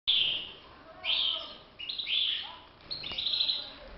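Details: Caged European goldfinch singing for song training: bright twittering, slurred phrases in short bursts about a second apart, each a tinkling run of notes, with faint background hiss.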